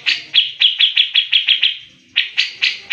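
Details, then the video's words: A grey-cheeked bulbul gives a fast run of sharp, high, clipped notes, about five per second, a brief pause, then another quick burst. "Cucak Jenggot Gacor Mbeset Ngepik Speed Rapat"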